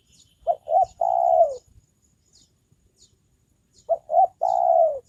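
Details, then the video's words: Spotted dove kept as a trained lure bird, calling to attract wild doves: two identical phrases about three and a half seconds apart, each with two short hoots and a long, falling coo. Thin, high twitters from other birds lie underneath. "Mikat burung tekukur"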